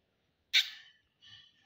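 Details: Pet talking rose-ringed parakeet gives a sudden harsh, breathy burst, then a softer, raspy, buzzy utterance a moment later; nothing else is heard.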